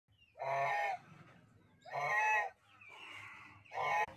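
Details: Male African goose (gander, also called lion goose) on a goose farm: loud harsh honks, three strong blasts about every 1.5 seconds with a softer nasal call between, low background hum.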